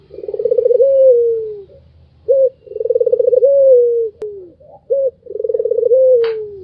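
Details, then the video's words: Laughing call from a white Barbary dove, pulsed rolling coos that droop at their ends, interspersed with short single coos, about three rounds; a sharp click and a brief high squeak. "SUARA KETAWANYA BIKIN EMOSI BURUNG LAIN ll SUARA MERDU BURUNG PUTER PUTIH"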